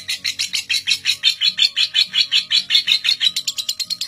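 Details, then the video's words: Ngekek of a record-holding lovebird whose trill ran seven minutes without a break, used as a model for young birds: rapid, shrill, pulsing chatter, roughly seven notes a second, steady throughout, over soft low background tones. "Pancingan Lovebird NGEKEK PALING PANJANG"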